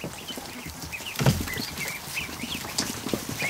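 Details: A kiddie pool in a barn holds over a hundred newly hatched ducklings; short high chirps rise and dip repeatedly, with a single loud thump and water sounds underneath.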